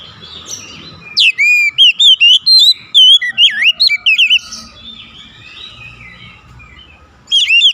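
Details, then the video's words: Oriental magpie-robin (kacer) song: after a second of quiet, a rapid three-second run of loud, varied whistled notes sliding up and down, then a pause and a fresh whistled phrase at the end, over a faint low hum. "SUSUNAN KICAUAN KACER YANG INDAH DAN ENAK DI DENGAR"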